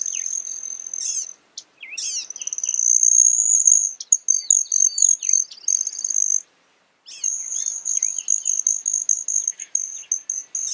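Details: Broad-tailed hummingbird: a thin, high, buzzing trill holding steady for several seconds, interrupted by scratchy chips and twittering slurred notes. It stops for under a second, then resumes with rapid pulsed chips against a quiet background.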